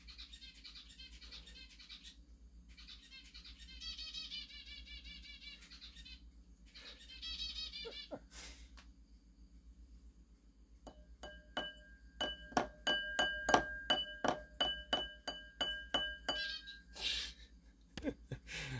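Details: A pet zebra finch gives bursts of nasal, buzzy beeps in response to a finger tapping on a bowl, followed by rapid ringing taps on the bowl.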